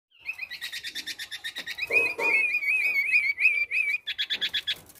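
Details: Black-naped oriole, male, singing an unusual song said to imitate other birds' calls; rapid repeated buzzy notes, then a wavering whistled trill near the middle, ending in another fast pulsed series.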